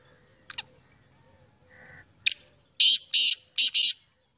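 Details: Sindhi black francolin calling: sharp clicks, then a quick run of four loud, grating, high notes in rapid rhythm, over a low steady hum.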